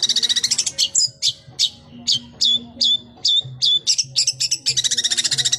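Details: Long-tailed shrike delivering busy song with varied fill-in phrases: fast, even runs of harsh high notes at the start and end frame a slower series of downslurred whistled notes, about two per second.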